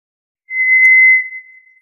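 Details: One long, eerie, steady whistle from a White's thrush, starting abruptly with a faint click-like edge and trailing off softly on the same high pitch in silence.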